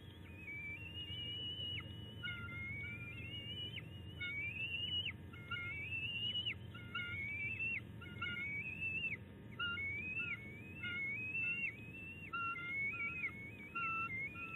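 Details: Bald eagle eaglet, second of the IL Trio nest young, on the nest on 10 May 2019, still vocalizing after a tiff with its mother; a steady series of high, thin whistled chirps, each rising then dropping, repeated roughly every second or two over low background rumble.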